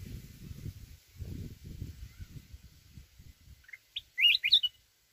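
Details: Forest-style song of a mountain red-whiskered bulbul, sung to provoke rivals. After several seconds of low rumbling noise, one loud quick phrase of bright warbled whistles bursts out near the end.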